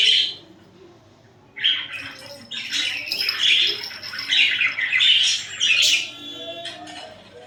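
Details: Pet budgerigars cuddling and fighting: after a short chirp and a pause, a dense run of harsh, buzzy chatter with rapid squawky notes fills the rest.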